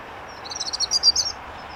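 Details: A European Robin at Elmley Nature Reserve, Kent, 12 October 2025, gives a brief burst of high, thin, tumbling notes, quick and varied, lasting under a second over a soft outdoor hush.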